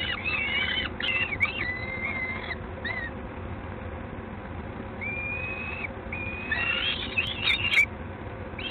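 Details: Recorded in Gdańsk, Poland, on a June 2016 evening: a peregrine falcon gives scattered thin whining notes, some rising then held level, separated by quieter spells. Background hiss and a low rumble run throughout.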